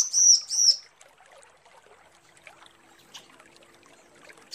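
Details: Female bar-winged prinia calling the male: two loud, high, slightly buzzy notes in quick succession at the start, then a faint chatter of background noise with scattered soft clicks.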